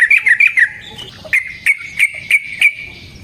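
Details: Yellow-vented bulbul fighting song meant as a lure: a quick cluster of four twisting bubbly notes, then five evenly spaced sharp chips about every third of a second.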